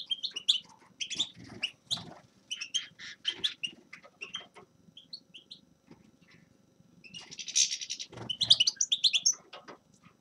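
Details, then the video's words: Grey-crowned goldfinch song of quick high twittering notes in irregular bursts, with sharp chips and trills, a pause, then a rich, fast jangling run of tinkling and buzzy notes near the end; occasional soft low rustles. "Седоголовый щегол Carduelis caniceps певчая птица"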